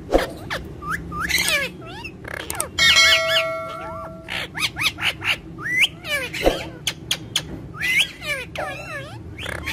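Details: Green parrots kept as pets calling loudly: sharp rising and falling squawks and clipped whistles in quick bursts, with a brief held tonal note partway through over constant low background hum.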